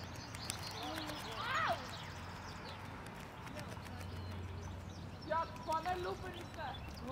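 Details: Hooded crow (Corvus cornix) recorded 26 April 2024 in Prule, Ljubljana, giving one hoarse caw, then a quick run of three or four caws a few seconds later, over a low steady rumble of traffic.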